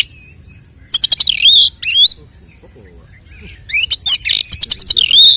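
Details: Oriental magpie-robin fighting song played as a lure to raise a rival kacer's aggression: clusters of staccato clicks lead into loud rising whistles, one short phrase, then a dense, chattering rush of notes.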